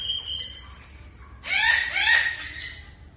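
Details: A caged rosella parrot gives two loud, harsh, rasping screeches in quick succession, following a thin high whistle; no other clear sounds.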